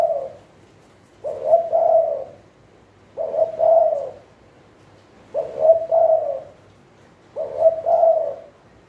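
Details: Captive Spotted dove used as a decoy for trapping wild doves in Thailand. Soft, hollow cooing phrases of a brief note and two drawn-out coos come at steady intervals of about two seconds against a quiet background.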